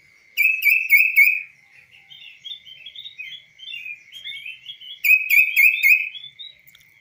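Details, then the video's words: Kaso-kaso bird kept uncaged and tamed, singing on a person's hand: clear, varied song opening with rapid buzzy chirps, then a long run of thin twittering notes, ending in another burst of chirps; a constant high tone hums underneath. "BURUNG KASO KASO GACOR DI TANGAN TANPA SANGKAR"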